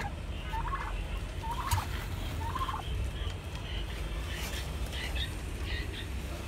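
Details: Rooftop farm turkeys producing a few fainter rattling gobble bursts in the first three seconds, then softer scattered higher calls, all under a constant low-pitched background hum.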